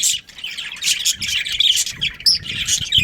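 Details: Short burst of budgerigar chatter from a pet breeding pair: scratchy chirps and bright whistled notes tumbling together with barely a pause.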